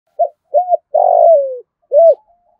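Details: Spotted dove used as a lure bird, calling to draw in wild doves: four coo notes around mid-low pitch, two short arched coos, a long buzzy coo sliding downward, then a final arched coo, in clean quiet surroundings.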